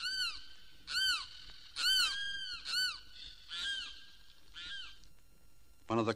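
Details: Limpkin of Florida cypress swamps and sawgrass marshes, which calls by day or night, giving loud, wailing, harmonic cries in arching bursts, about one per second, like a person in distress; a brief harsh note ends it.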